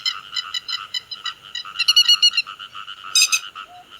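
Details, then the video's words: Grey-headed lapwings calling the flock, a lure recording for bird netting: spaced, nasal, croaking notes, then a louder burst of rapid notes near the middle and another near the end, with one low tone late on. "Tiếng Chim Te Vàng Gọi Bầy"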